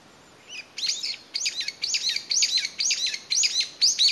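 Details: A lone Brown-eared Bulbul calls hard in May 2021, perhaps separated from its family and seeking companions, pausing to listen: loud, harsh, high squealing notes slurring up and down, about twice a second, over a quiet background.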